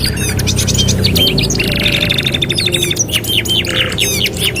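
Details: Canary singing in a 2-in-1 master recording for training canaries: choppy trills, a rolling buzzy passage, then varied chirps and a brief harsh burst, with low rumbling noise beneath.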